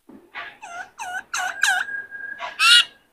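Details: Harsh, rasping chattering notes rising in loudness with a brief thin whistle between them, from a caged White-cheeked laughingthrush being trained to sing.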